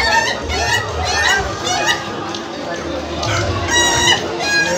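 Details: Indonesian laughing chicken crowing during a contest final: a fast, stuttering chain of bright, harmonic, chuckling notes, repeated in bursts and overlapping with other birds, against crowd chatter and a low background hum.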